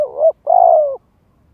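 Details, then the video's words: Spotted dove luring wild doves in to fight. One swelling coo that rises at its end, then a brief gap and a longer, steady, faintly pulsing coo that falls slightly. Close and clear, with no other sounds. "Tiếng chim cu gáy gọi kích bổi nhập cội cực chuẩn"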